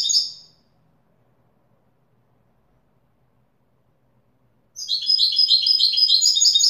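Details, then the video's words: European goldfinch song in the Widani style: a brief high note burst, a long quiet stretch, then an energetic stream of fast tinkling, buzzy twitters to the end. "تغريد ويداني أصيل"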